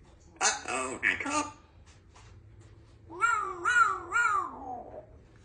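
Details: Two-year-old female Congo African grey parrot, a pet kept indoors, talking happily after her morning shower, imitating a cat: clipped speech-like syllables, then three drawn-out falling meows, each wavering in pitch.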